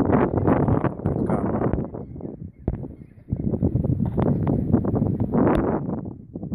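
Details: Adult Black Brant on Schiermonnikoog, 13 April 2015: dense, low, gruff rolling calls overlapping in rapid bursts, pausing briefly near the middle before resuming loudly.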